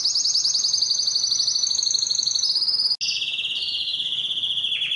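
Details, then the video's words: Belgian canary song aimed at attracting females for breeding, a dense high trill sliding slightly in pitch, a split-second break, then a lower, steady buzzing roll. "O canto mais forte do canário belga que atrai as fêmeas para a reprodução"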